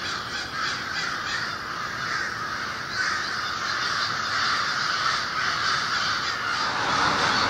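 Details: Over 1500 American and Fish Crows wake before sunrise at a winter communal roost by the Merrimack River, Lawrence, Massachusetts. Their harsh, overlapping caws blend into a steady, raucous din with no pauses, before they disperse to forage.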